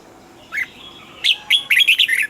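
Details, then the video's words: A caged red-whiskered bulbul gives a lone chirp, then a pause, then a fast, rolling phrase of five or six bright whistled notes that rise and fall, with little background noise. "นกปรอดหัวจุก นกปรอดหัวจุก เสียงนกกรงหัวจุก"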